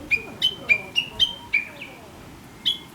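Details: Chinese hwamei singing in the countryside, a chattering, talk-like song that wakes the listener every morning; loud clear whistled notes, each a short upward flick into a held tone, repeated roughly every quarter second, then a pause and one final note.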